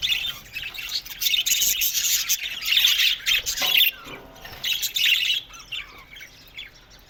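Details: Colony of Australian budgies kept in an aviary, many birds chattering together in busy, high twittering bursts and squawky notes that swell and fade, with brief quieter gaps near the end.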